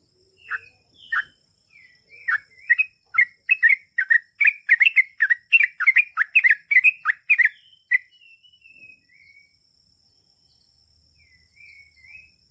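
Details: Chatty Yellow-vented Bulbul (trucukan) building into a long ropel song: scattered chirps, then a fast run of bubbly warbled notes for about five seconds, fading to soft high whistles and quiet.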